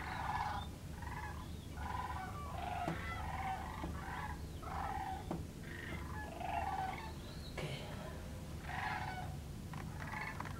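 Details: Sandhill cranes walking on the ice of the Platte River give rolling, rattling trumpet calls, repeated about every second from several birds, over a steady low rumble of wind.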